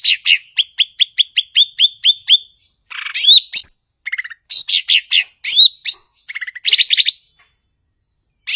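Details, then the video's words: Blue-winged leafbird (cucak ijo), a songbird of Southeast Asian rainforests kept for its song, opens with a steady series of about fourteen quick chirps, then switches to varied buzzy trills and whistled falling notes before falling silent. "Burung gachor Cucak ijo/Ranting"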